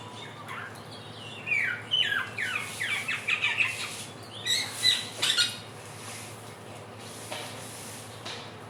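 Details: Helmeted friarbird, the so-called bird of 1001 voices from West and East Nusa Tenggara, in a trotolan lure: a rapid run of short slurred squawky notes for several seconds, followed by quiet.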